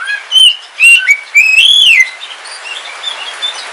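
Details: Home-kept oriental magpie-robin of the Kalimantan dark form during rain: a few short whistles, then a long, clear arched whistle that rises and falls, followed by soft faint notes over background hiss.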